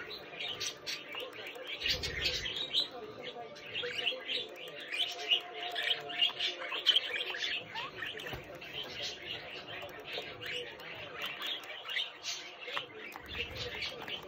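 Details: Budgerigar chick kept as a pet warbling and chattering nonstop for about fourteen seconds, a mix of rapid twitters, clicks and brief squeaks, with a couple of dull knocks in the background.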